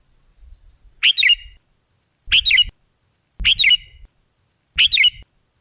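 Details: Sooty-headed bulbul lure recording with four bubbly, chirping two-note phrases spaced about a second apart. Faint low thumps and rustling sound beneath the calls.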